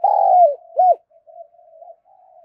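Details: Spotted dove calling to rouse wild doves: a long, steady low coo falling at the end, one short arched coo, then a trailing soft murmur.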